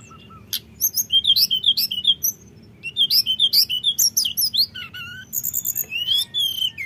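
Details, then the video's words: Common iora rolling, flute-like lure song aimed at provoking rivals: two series of rapid bright chirps with looping whistles, separated by a brief pause, plus low steady hum. "Pancingan tledekan nyuling ngeroll bikin lawan emosi"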